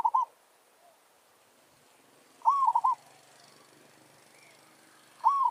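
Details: Zebra dove kept in a village, used as a lure to draw a wild forest bird into a territorial contest; repeated gentle coo phrases, each rising then breaking into quick pulsed notes, about every 2.5 seconds, with faint background murmur.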